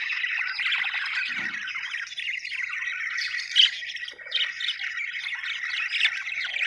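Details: A flock of happy budgerigars chatters in a constant warbling stream, with a few louder squawky notes standing out.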